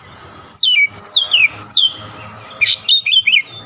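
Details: Oriental magpie-robin persistently delivering isian fill-in phrases: three long, descending whistled sweeps, a harsh burst, then quick chirps, all over a steady background hiss.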